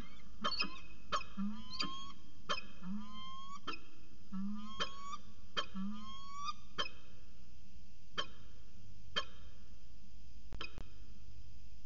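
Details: Afternoon exchange between a peregrine falcon pair at Charles Sturt University, Orange, 13 January 2019, near 4:19 pm; a run of grating, harmonic calls with curved inflections, spacing widening toward the end, against a low continuous hum.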